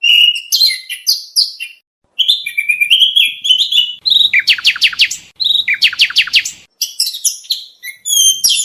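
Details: Oriental magpie-robin contest training song: varied clear whistled phrases, some rising and some falling. Rapid downward-sweeping notes repeat in a fast series near the middle. Short pauses separate the bursts.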